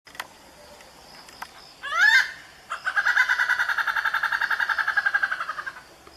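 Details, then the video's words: A rare Malabar grey hornbill gives a brief rising squawk, then a long, rapid, harsh cackle of about ten notes a second that fades after three seconds. "Hornbill bird Singing sound,What sound does a hornbill make?(Malabar grey hornbill)"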